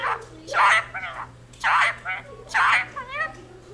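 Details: Talking Indian ringneck parakeet at home saying the Punjabi jaikara: three loud, harsh syllable groups about a second apart, each followed by a warbling, wavering syllable.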